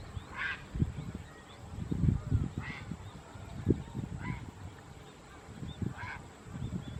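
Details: Grey heron (Ardea cinerea), recorded 12 October 2014, gives short, harsh, honking croaks about every one and a half to two seconds over steady low rumbling background noise.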